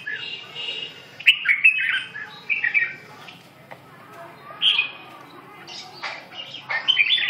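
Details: Red-whiskered bulbul uttering scattered short phrases: sharp bright chirps and throaty warbles separated by quiet gaps, with a final strong burst of notes.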